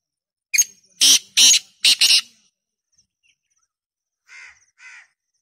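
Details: Black francolin giving a loud rasping call of a short opener and three harsh grating notes, the last doubled, then two fainter notes from farther away.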